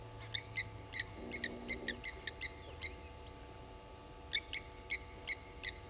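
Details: Sharp, clinking tink calls from blacksmith lapwings harassing an African harrier hawk at Gowrie dam, Sabi Sand; a rapid run of notes, a short pause, then a fresh burst.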